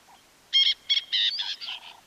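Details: Francolin giving one of its two distinctive calls, a repeated chird and a short series of cackling notes: a quick run of six harsh, buzzy, high notes, the first loudest, trailing off at the end.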